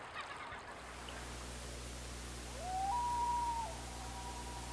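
A Common Loon gives one long, pure, mournful note that slides up, holds steady, then dips slightly lower, over a low steady hum and a brief rustle at the start.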